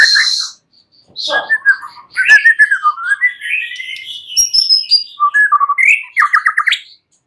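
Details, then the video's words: White-rumped shama singing at night: a shrill opening note, then a pause, followed by rich warbled and slurred whistles rising and falling, closing with a quick stuttering run of notes. "Pancingan Murai batu MALAM HARI Auto NYAUT GACOR"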